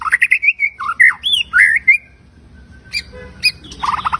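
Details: A white-rumped shama sings its full repertoire as a lure for others of its kind: warbling, rising and falling whistles in a run, then a quiet gap, scattered sharp notes and a quick stuttering trill.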